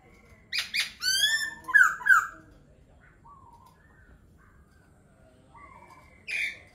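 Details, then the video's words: Laughingthrush song: a burst of harsh, buzzy notes and loud slurred whistles, a quiet stretch with soft low whistles, then one more sharp call. "Khướu hót hay."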